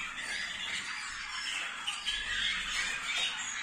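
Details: Song of Waterslager canaries from 2022, a rapid run of bubbling rolls and chirps, about three notes per second, steady and dense at mid to high pitch with a few sharper accents toward the end.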